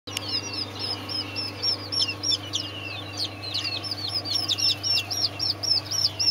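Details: Serama chicks calling: a busy stream of high, thin peeps, several overlapping birds chirping rapidly with short arched and falling notes, steady low hum underneath.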